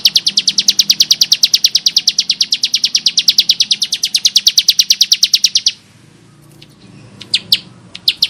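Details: Bar-winged prinia in full, harsh song. A long unbroken run of fast, metallic, high notes lasts nearly six seconds, then gives way to quiet with a few scattered single chips near the end.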